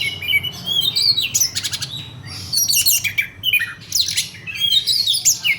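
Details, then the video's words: Large, long-bodied kacer (Oriental magpie-robin) in fighting mode, pouring out loud, varied song: rapid whistles, sharp rising and falling sweeps and scratchy bursts in quick succession, indoors with a low background hum. "Kacer body gede panjang tarung"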